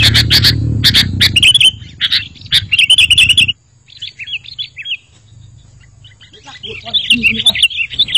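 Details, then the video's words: Sooty-headed bulbul song, used as a lure and to spur a quiet caged bulbul into singing: rapid bright chirps over a low rumble, then a pause, then softer twittering and a fresh burst of warbled notes. "Suara Masteran Burung Kutilang Berkicau, Kutilang Auto Nyaut"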